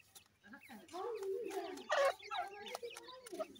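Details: Feeding grey francolin chicks make a dense mix of rapid, rising chirps over a low, warbling clucking murmur, roughly three notes a second.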